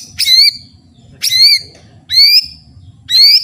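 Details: Loud ringing white-rumped shama phrases from a training recording, each a rich descending whistle with a bright upper edge, repeated about once a second over faint low hum.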